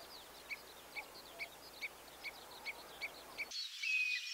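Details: Common redshank on its spring breeding grounds at Notsuke Peninsula, Japan, giving a run of short, sharp piping notes about every half second, then a brief louder burst with a higher whistled note.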